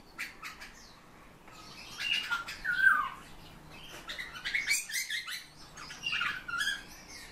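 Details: Eurasian bullfinches kept as captive birds giving soft, short descending whistled notes around the middle, among scattered chirps, clicks and rustling wingbeats.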